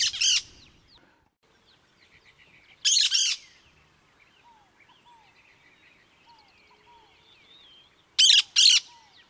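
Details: Cactus parakeet repeating harsh paired screeches at intervals of a few seconds. Soft, descending whistled notes from other birds fill the pauses.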